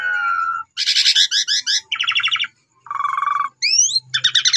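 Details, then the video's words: Asian pied starling in a varied song used to prompt caged birds to sing: a sustained low whistle, dense buzzy trills, rattling phrases and a pair of rising whistles, with faint low hum beneath. "Cukup 3 Menit Saja Jalak Suren Bakal Nyaut Dan Ikut Gacor Dengan Pancingan Jalak Suren Ini"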